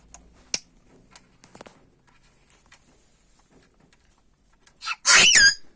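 An African grey parrot gives one loud, harsh, wavering squawk near the end, after several seconds of faint clicks and small rustling noises.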